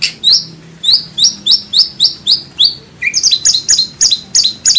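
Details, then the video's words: White-rumped shama, Indonesia, rich training song with 'tembakan' shots: crisp high whistled flicks repeated steadily, then a quicker run of bright clipped notes with a lower note mixed in. "MASTERAN MURAI BATU ISIAN MEWAH MATERI FULL TEMBAKAN KOMPLIT TANPA BATUK BATUK"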